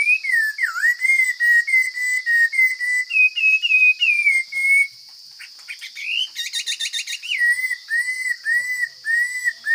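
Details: Chinese hwamei of the forest singing a long, varied sequence: a dipping whistle, a string of level and rising whistled notes, a brief pause, a dense rapid trill, then repeated falling whistles, all above a steady shrill buzz.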